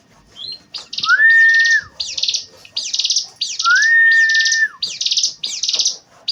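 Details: Ciblek gunung song: rapid buzzy, scratchy bursts high in pitch repeated in quick succession, with a long steady whistled tone rising then holding level, heard twice.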